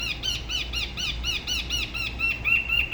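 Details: Spot-throated babbler from Dalat, Vietnam, La Ba river, a bird whose song style differs from other regions: rapid, steady run of short arched chirping notes, several per second, over a soft background hiss.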